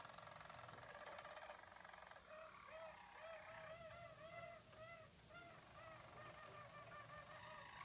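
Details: Four six-month-old Harzer Roller canaries sing as a team in training for a song competition, performing hollow roll, bass roll, hollow bell and flute tours; soft, continuous rolling trills with repeated arched notes, quiet against steady background hiss.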